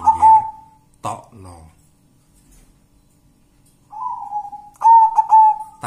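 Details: Local wild zebra dove song: a short stuttered coo, a brief burst of speech, then after a quiet gap a long drawn note running into rapid bubbling coos on one pitch.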